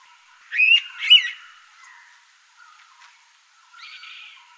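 An Indian pitta gives two quick, loud whistled notes, then faint softer sounds follow.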